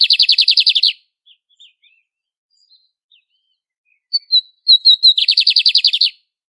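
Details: Brazilian lined seedeater in classic song: a quick buzzy trill ends, soft scattered chips follow, then sharp whistled notes build into another rapid trill of about ten pulses.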